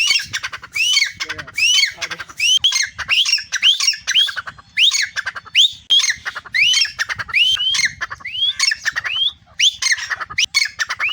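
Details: Two tame grey francolins, one caged and one perched on its keeper's hand or arm, calling when the owner blows a whistle: loud, harsh, rapidly repeated rising notes in an almost continuous chorus.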